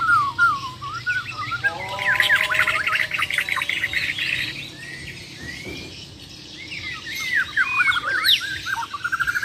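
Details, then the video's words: Champion Bornean white-rumped shama from Muara Wahau in a contest, pouring out a dense jumble of chirps, whistles and stacked tones, briefly quieter midway, then rising again into fast twittering phrases. "BURUNG - BURUNG JUARA MURAI BATU BORNEO "MUARA WAHAU" || FULL ISAIN BESETAN DAN TEMBAKAN"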